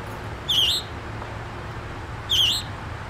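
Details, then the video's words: Young scarlet tanager at Memorial Park, New Kensington, Pennsylvania, giving two brief, burry, wavering high notes about two seconds apart over a faint low background hum. "scarlet tanager bird singing"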